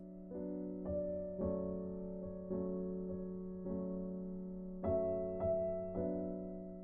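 Gentle piano music of slow repeated chords and notes, with no animal sound present.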